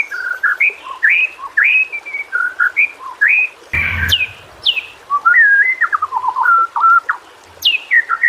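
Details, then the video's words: Varied whistled phrases of a white-rumped shama (murai batu), a training recording for birds that sing little; warbled notes rise and fall, with a brief thump midway and sharp high upslurs. "masteran burung murai. mewah awas! kesurupan"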